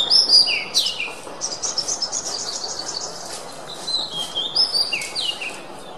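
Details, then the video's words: Oriental magpie-robin, called kacer, singing as a master recording for songbirds: bright whistles and downward slurs, then a run of rapid buzzy chattering notes, and more whistled phrases, with low hiss behind. "Masteran Suara Kacer"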